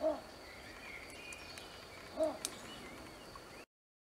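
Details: A little bittern in a reed bed at Bosco WWF di Vanzago gives two short, deep, croaking barks about two seconds apart, over a steady high insect hum with faint chirps from other birds.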